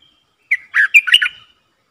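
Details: Red-whiskered bulbul decoy luring wild birds, dated 23/07/64: one brisk phrase opening with a crisp note, then a jumble of mellow, gurgling whistles rising and falling before fading.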